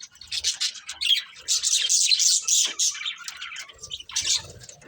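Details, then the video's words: Budgerigars of a breeding pair chirp in uneven bursts of scratchy, high chatter, swelling loudest midway and thinning out toward the end, with soft low rustles in the background. "Cute Budgies Chirping Sounds"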